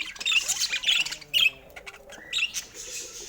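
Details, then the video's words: Budgerigars chirp and warble in quick high notes, with a louder squawk midway and a short falling tone before the chatter resumes. "Sweet Chirping Sounds"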